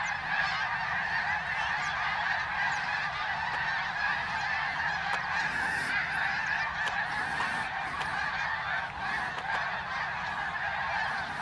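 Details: Greater snow geese passing over Ottawa, Canada, on fall migration in 2021, hundreds of thousands aloft; a thick wall of overlapping yelping honks that swells and eases slightly over the span.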